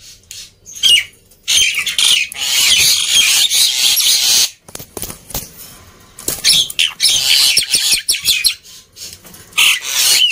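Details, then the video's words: Black-winged myna in noisy song, played to get reluctant birds singing; long harsh hissing, rasping bursts alternating with scratchy chatter and occasional brief whistles, with quieter gaps between. "Kicauan Burung Jalak Putih Gacor Ribut || Pancingan Burung Jalak Malas Bunyi"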